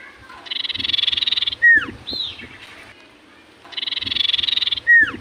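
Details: Common iora in full song, said to make other ioras answer: a buzzy, rapidly pulsed trill lasting about a second, then a sharp downslurred whistle, the pair given twice with quiet gaps between.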